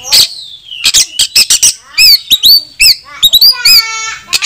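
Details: Oriental magpie-robin in a rich, varied song of clear whistles, sliding notes and fast buzzy trills in quick, loud bursts with short pauses; the bird is calling rivals to fight, used to provoke other magpie-robins into singing with tails spread.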